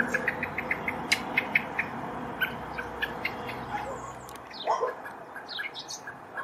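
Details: Searching for its fledgling in Poland on 7 July 2023, a male common blackbird fires off a fast run of sharp ticking alarm notes for about three seconds, followed by a lower, rustling swooping sound.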